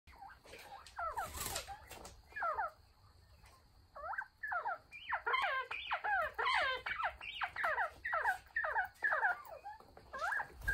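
Northern bobwhites chatter in quick, overlapping chirps and squeaky notes, about two a second, over a faint steady electrical whine.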